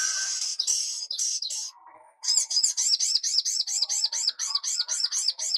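A Little Spiderhunter gives very high, thin chattering notes, then a fast string of sharp, ringing chips about four per second. No other sounds.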